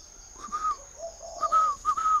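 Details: Spotted dove from a Ba Vì, Hanoi bird garden giving one full cooing phrase: a short higher note, a low soft coo, then two brief clear higher notes, over a steady high-pitched hum.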